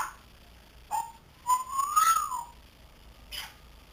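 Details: Young grey parrot, three months old, kept as a pet and learning to talk, gives a brief chirp, then a long pure whistle rising slowly and falling off, with a short noisy squeak near the end.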